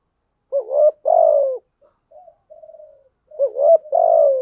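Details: Spotted dove lure bird cooing, used to stimulate other doves to coo: a hoarse low rolling coo phrase, a pause with faint softer notes, then the phrase repeated, indoors with no other sounds.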